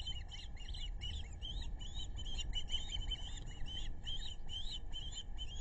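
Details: Osprey family of four at the nest, both parents and two chicks, along the Narrow (Pettaquamscutt) River in South Kingstown, Rhode Island, on July 11, 2022, from a nest webcam: a steady run of sharp, whistled chirps repeated several times a second, with low rumbling background noise.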